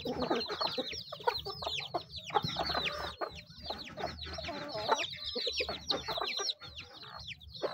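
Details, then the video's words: Many chickens feeding, with continuous high, downward-sliding peeps in quick succession and scattered pecking clicks and soft clucks underneath. "The sound of chickens eating"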